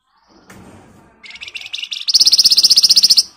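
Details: Flamboyan in full, lively song with a dense rattling delivery, used as a lure to prompt other birds to answer: scattered chips, then a sharp, high, rapid trill of about four notes a second that grows louder toward the end.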